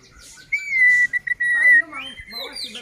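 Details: Long, level white-rumped shama whistle held over a second, broken briefly, then lower warbled notes; song meant to agitate other shamas into singing.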